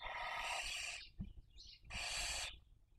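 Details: Nesting barn owl at Cabañeros National Park, Spain, raising young in the 2023 breeding season: two long, harsh, hissing screeches, each nearly a second, separated by a brief pause holding a faint high squeak.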